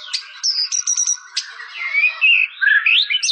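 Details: White-rumped shama song: varied run of bright high whistles and sharp chips, short repeated notes early, then sliding whistled phrases rising and falling; a faint mechanical hum sits underneath.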